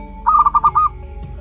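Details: Local zebra dove chick, one month old, utters a single quick run of about five soft, rounded cooing pulses, evenly spaced and at a steady pitch, against a faint continuous hum.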